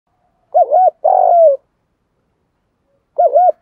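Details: Spotted dove decoy bird calling to lure and provoke wild doves: a mellow, wavering two-part coo, a longer falling drawn-out note, then another wavering coo after a pause.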